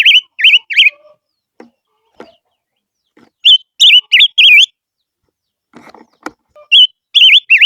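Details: A barbet's lure song comes in short bursts of loud, wavy, high whistled notes separated by pauses full of faint clicks and rustles.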